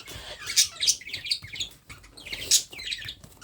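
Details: Young parrot during hand-feeding, making rapid grating chirps in two clusters, each opening with a sharp loud rasp followed by softer chattering notes.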